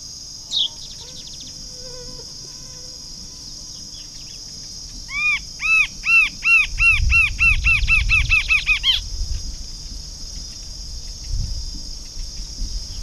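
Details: Rufous-capped Antshrike, recorded 10 January 2009, giving about a dozen nasal, arched notes that quicken over four seconds, over a steady high insect drone and faint low rumble.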